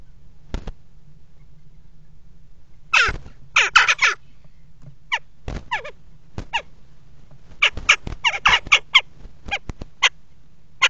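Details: Common kestrel in a nest box on a water tower, mating on the box edge on 5 February 2018; harsh, rapid bursts of calls in mid-clip and again later, among many sharp knocks and scrapes and a low steady hum.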